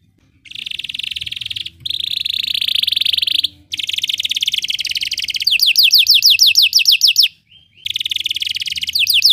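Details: Belgian canary singing, used as training song to make other canaries sing: loud continuous high rolling trills in long bursts broken by brief pauses, then rapid repeated sweeping downslurred notes and another sustained trill.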